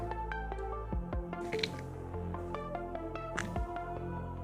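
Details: Music with plucked and percussive notes plays alongside dripping and squishing sounds, with no animal voice heard.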